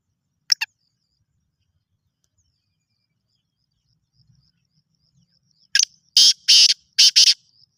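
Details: Black francolin, a bird offered for sale, giving a short double click, then after a pause a rasping call of four harsh bursts, the middle ones longer and paired, against a quiet background.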